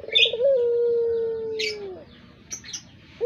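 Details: Barbary dove (puter), pelung type, suited as a lure: a quick stuttered start swells into a long, even, low coo that slides down at its end, with short high chirps from small birds before and after.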